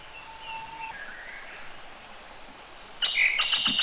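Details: Siberian blue robin singing near the listener in a gorge: a string of faint, thin high notes gives way to a loud, dense burst of rapid trilled notes in the final second.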